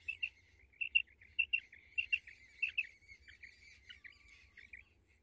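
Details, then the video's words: Female common quail giving quick doubled clicks, about one pair every half second, then softer trailing chirps fading out. "Female Common quail call | madi batair ki awaz"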